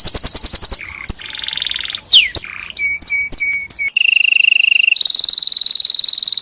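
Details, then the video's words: Domestic canary singing a tutor song meant for training other canaries: a quick pulsed trill, a squeaky slurred note, clear steady whistles repeated about once a second, then long even rolling trills, lower and then higher. "Coba Masteri Burung Kenari Anda Dengan Burung Kenari Ini"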